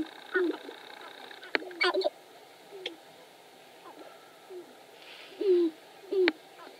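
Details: Sharp-tailed grouse dance at Wainwright, Alberta, 2015, with low hollow coos dropping slightly in pitch, scattered through the recording alongside sharp clicks and brief rattling bursts, and two clear coos close together near the end.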